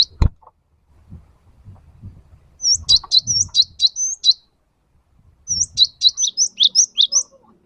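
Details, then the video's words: Cinereous tit, locally gelatik batu, giving a training lure song for pet birds: two runs of rapid high, slightly rising chirps, about eight notes each, after a sharp click at the start. "Suara burung gelatik wingko gacor"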